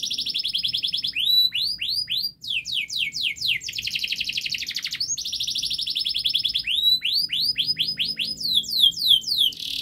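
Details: Long, rapid canary song in a closely packed style, played to train young canaries to start singing. Fast trills of sweeping notes are repeated, with a grating buzzy roll in the middle, and shift constantly between high note series.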